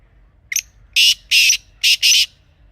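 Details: Wild black francolin, known locally as kala teetar, recorded outdoors in Pakistan. A faint clipped note leads into four rasping, scratchy bursts grouped in two pairs, with near-silence between phrases and a soft low rumble.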